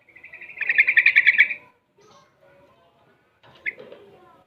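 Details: Six-month-old Yellow-vented Bulbul (trucukan), a very active singer still learning ropel and garuda song styles: a fast burst of rapid, chattering repeated notes that swells and then breaks off, followed after a pause by a short sharper phrase.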